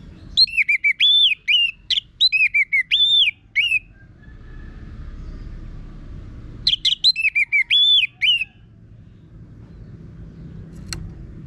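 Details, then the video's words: Orange-headed thrush singing energetically with a coarse voice, played to coax birds into song: rapid strings of arched whistled notes repeated in two bursts, with a few seconds of quiet, low background noise between them. "Pancingan ANIS MERAH Gacor Suara Kasar Ini Membuat Burung Ikutan Ngeplong"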